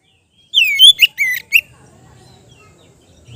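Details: Relaxed ngeplong song of a kept Oriental magpie-robin, for therapy of untrained birds: a single second-long run of four loud whistled, down-slurred notes, followed by near silence with faint low hum.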